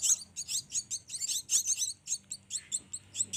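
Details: Black-winged myna chicks still fed by hand give a rapid, uneven stream of shrill, rasping begging squeals, crowded close together with short gaps.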